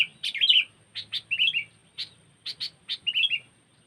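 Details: Sooty-headed bulbul calling as a trapping lure: sharp clipped chip notes alternating with bubbly whistled phrases, repeated in quick succession over a few seconds with a faint low hum underneath.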